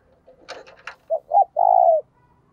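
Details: A burst of scratchy rustling noise precedes one cooing phrase from a spotted dove kept as a lure for wild doves: two short notes and a long, steady rolling coo that drops slightly at the end.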